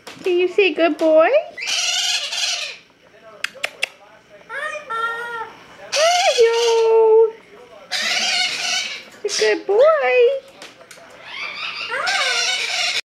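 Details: A white-fronted amazon talks indoors, saying "Hello" in short, voice-like phrases with rising and falling pitch, mixed with harsh raspy squawks, in bursts every second or two.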